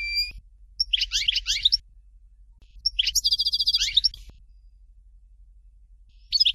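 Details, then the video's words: Fort de l'eau Dalya song of a European goldfinch: a short whistle, a twittering phrase, a pause, then quick chirps running into a buzzy trill, and the start of another phrase. "Chant Chardonneret Dalya Original"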